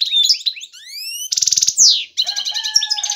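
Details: Male European goldfinch calling to lure a female for mating: twitters, a run of rising whistled slurs, a harsh buzzy burst and a descending sweep, then rapid chatter over a steady low tone.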